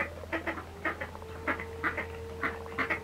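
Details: Red-billed teal uttering brief, rasping quacks roughly every half second, over a steady mid-pitched tone and low background hum.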